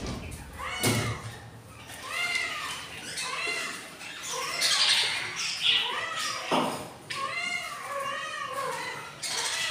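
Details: Budgerigar chicks begging while hungry, four days old, three of eight eggs hatched in a breeding box; strings of harsh, bowed squawks rise and fall, rapidly repeated, with occasional clicks and faint voices.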